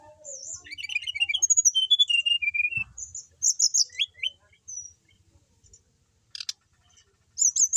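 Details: Brown-chested jungle flycatcher, a settled kept bird in steady song, delivering a long rapid series of varied whistled and chirping notes that drift downward in pitch, then clear sweeping whistles, a brief pause and a final high phrase; low thumps in the background.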